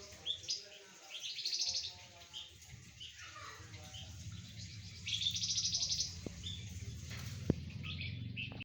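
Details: Flamboyan in lively song while sunned alongside spotted doves and zebra doves; scattered high squeaky notes and two rapid chattering trill bursts over a noisy low rumble, with a few sharp clicks near the end.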